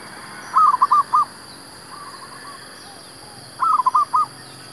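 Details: Zebra dove song played to lure wild doves for trapping: two bursts of rapid staccato cooing notes about three seconds apart, with a softer, fainter phrase between them and a steady high hiss behind.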